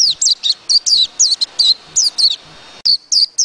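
A white-eye sings a fast run of thin, high twittering notes, each a quick down-and-up slur, delivered in bright bursts several times a second.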